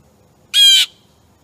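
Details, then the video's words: Noisy blue jay enjoying suet on August 22, 2015, a wild turkey passing nearby: one abrupt, harsh, scratchy screech of about a third of a second, strongly nasal, against a quiet backdrop. "Noisy Bluejay"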